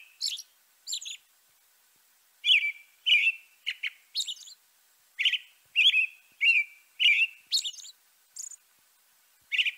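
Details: European robin singing: a series of short, high, sharp notes and brief twittering phrases, some sliding or buzzy, separated by short pauses and uneven in rhythm, over a quiet, clean background.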